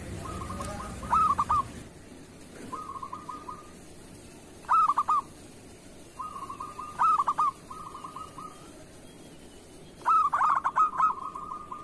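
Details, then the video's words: Local zebra dove singing kerot-style song, kept as a master recording to stir lazy doves into calling: fast strings of clipped coos alternate with loud, stuttering bursts, each phrase separated by short pauses. "Suara perkutut lokal masteran perkutut kerot"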